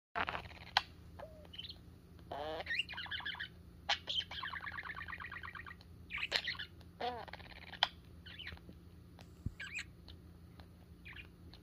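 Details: Pet parakeet playing with its owner's fingers, a sign of love and trust, giving quiet bursts of fast warbling chatter, buzzy trills and short chirps, with pauses between phrases indoors.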